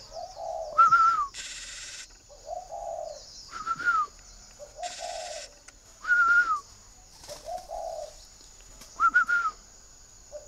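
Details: Kept spotted dove in northern Vietnam cooing in soft, low phrases every two to three seconds, each followed by a brief higher whistled note and short bursts of hiss-like noise.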